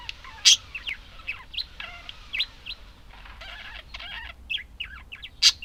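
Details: Budgies keep up a busy warble of chirps, buzzy grating bursts and sharp clicks, high and continuous, with a soft background hum.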